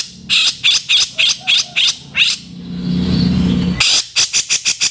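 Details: Grey-cheeked bulbul harsh 'kasaran' song used as a master training recording for cage birds: loud, rasping, broadband notes repeated quickly, broken by a rising hissing rush of noise, then more rapid harsh bursts.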